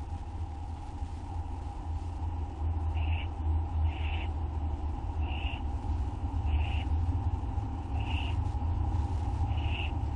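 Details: Owls at night while one delivers food and others help themselves, live camera, August 2011; six short rasping screeches spaced about every 1.3 seconds over a steady low hum.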